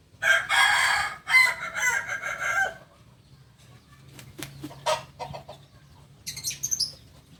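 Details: Kukuak balenggek rooster, a native chicken of Solok, West Sumatra, whose crow can rise through up to 19 tiers, gives one long, loud crow in several linked stepped segments lasting nearly three seconds, then faint clucks and rustling.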